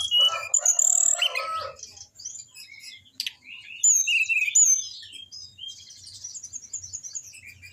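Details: Orange-headed thrush song used as a training recording to get lazy caged birds singing: varied high whistled and chirping phrases, some trilled, in quick bursts with brief pauses, opening with a louder, fuller phrase.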